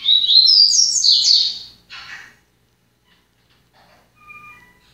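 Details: Yellow-bellied seedeater (papa-capim) song getting into order: a fast run of bright, rising and falling chirped notes for under two seconds, one brief buzzy burst, then quiet with a few faint thin whistles.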